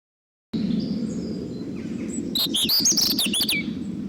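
A robin gives a quick burst of high, thin, warbling notes with fast sliding whistles, lasting about a second, over a steady low rumble.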